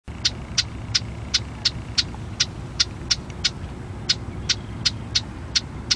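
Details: A Marsh Wren in Harvey, North Dakota, gives dry, sharp ticking notes, about three each second, over a steady low rumble of traffic.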